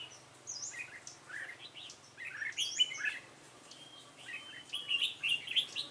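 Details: Red-whiskered bulbul with a dark bib, recorded on 28 February 2017 while trapping with a decoy. Several overlapping chirpy, warbling phrases run throughout, with thin high whistles mixed in.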